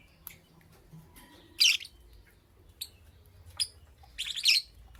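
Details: Lovebird heard in the morning, loud shrill chirp bursts separated by brief pauses, a few thin single tweets in between and a final double burst of harsh high squeaks.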